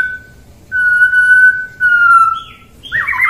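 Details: Pure steady whistles from a White-rumped shama, two long level notes with a short pause between, then a brief buzzy flourish at the end.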